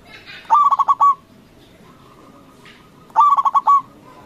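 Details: Big-voiced local zebra dove singing steadily as a lure to make other doves answer. Two rhythmic phrases of five rolling coos come roughly two and a half seconds apart, with a faint steady tone between them.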